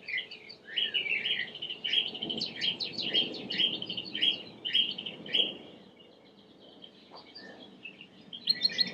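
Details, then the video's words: Belgian canary singing a run of short chirped notes and quick rolled phrases at a high pitch, repeated roughly twice a second, then fading, with a soft low hum of background noise underneath. "COMO FAZER SEU CANARIO CANTAR MUITO 20 MINUTOS DE CANTO"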